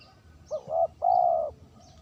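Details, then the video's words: Spotted dove used as a lure, giving a clean two-part coo: a short rising note, then a longer steady hooting coo, with faint high chirps of small birds in the background. "suara terkukur pikat bersih"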